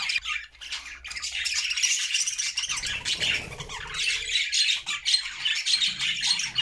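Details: Budgies kept as a happy flock in a homemade cage sing together: bright, rapid chattering and scratchy warbles pile up continuously, with a brief dip near the start before the chorus resumes.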